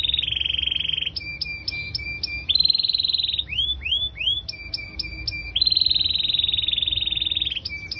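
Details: Canary singing in gacor style, with long high rapid trills held about a second each. These alternate with chopped paired notes and a run of curved, slurred notes. The song is continuous and loud, with no other sounds.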